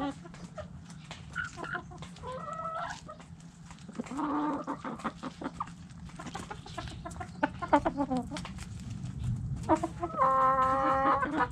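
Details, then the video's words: Hens in a backyard coop cluck and cackle in quick irregular bursts, some notes rising and falling, several birds overlapping above a low background rumble. "Hens Clucking Roosters Crowing!"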